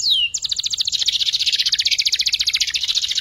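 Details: A young canary learning to sing gives a rapid trill. A downward-sweeping whistle opens into a long run of fast, evenly repeated buzzy notes, about eight per second, that slowly descend in pitch.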